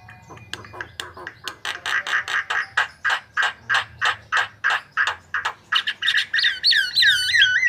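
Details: White-vented myna delivering a steady series of harsh, clipped notes, about three per second, closing with wavering whistled notes.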